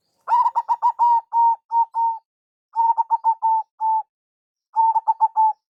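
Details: Local zebra dove lure call: repeated phrases of rapid clipped coos trailing into longer steady notes, three phrases in quick succession without other sounds.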